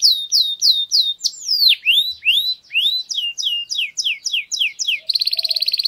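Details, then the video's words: Error-free canary song used to tutor chicks: a sequence of loud falling whistled slurs and varied sweeping notes, finishing with a fast, even buzzy trill. "غناء كناري خالي من الاخطاء لتعليم الفراخ Error-free canary singing to teach chicks"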